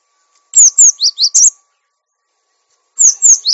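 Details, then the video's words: Cinereous tit, master recording for training caged birds: a quick series of high, downslurred whistled notes followed by lower, slightly buzzy notes, a pause of about a second and a half, then the phrase begins again; faint steady hum underneath. "Masteran Gelatik Batu Bahan Supaya Cepat Bunyi Gacor Dan Jinak"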